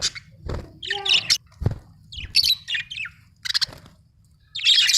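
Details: Chirping from a budgie: sharp squeaky notes and buzzy warbled phrases come in uneven bursts, with a few low thumps between them.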